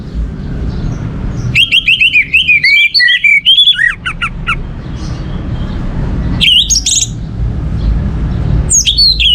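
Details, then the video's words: Orange-headed thrush song as a lure to set other birds singing: a long varied whistled phrase with rapid slurred notes, then two brief high bursts after pauses over a low hum. "Pancingan Burung Anis Merah ini untuk merangsang burung lain jadi gacor"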